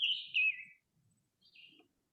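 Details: Scarlet tanager singing two hoarse, burry phrases during spring migration, the first slurring downward, like an American robin with a sore throat but a bit more buzzy; otherwise quiet.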